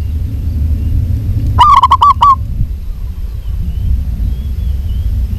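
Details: One quick series of about six soft, staccato coos from a local zebra dove hen calling a male, set against low rumbling background noise.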